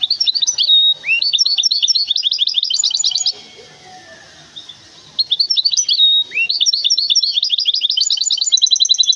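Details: Big goldfinch hybrid kept in Temara sings two long bursts of rapid, high, metallic twittering with rising slurs. Between them is a quiet gap of about two seconds with faint background sound.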